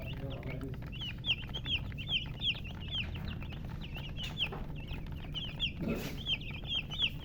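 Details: Chicks of domestic chicken chirping together: bright, insistent high peeps in quick overlapping series, some rising then falling, with a brief rustle near the sixth second and a low hum beneath.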